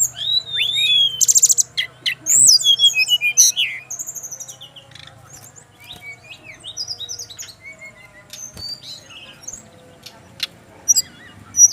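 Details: A male Brown-chested Jungle Flycatcher from Bali opens with a dense buzzy burst and sweeping whistles, then continues in softer, quicker twitters that fade before a few loud notes at the end.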